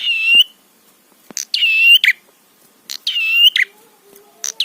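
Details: Prinia song used as a provocation lure: the tail of one buzzy phrase, then two full harsh, ringing buzzes with clipped end notes, with a soft low whistle in the background near the end.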